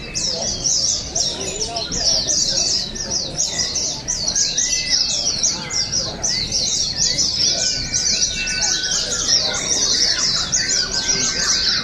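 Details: Oriental white-eye contest song from the Balingian open bird contest, Sarawak, 2023: an unbroken wall of shrill, fast chirping notes from several birds, plus occasional level whistles and distant voices.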